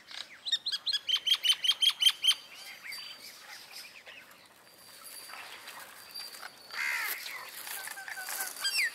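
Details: Common myna at Jal Mahal, Jaipur, India, December 2021, alongside bank mynas: a rapid series of about ten loud, ringing chuckles, then quieter squeaky chatter and a burst of harsh, squealing notes later.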